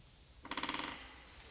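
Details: A group of great spotted woodpeckers drumming in a small forest in early spring to attract mates and mark territory; one drums a quick roll of about ten sharp knocks in half a second, fading toward the end.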